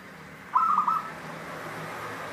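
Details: Local zebra dove in the 'Cristal tembus' song style gives a single half-second phrase of quick, clear, bubbling coo notes against a quiet background hiss.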